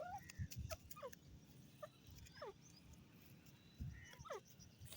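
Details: Grey francolin (teetar) calling with a handful of thin, falling whistled notes, spaced unevenly across five seconds, set over constant low-pitched background rumble with a few dull thumps.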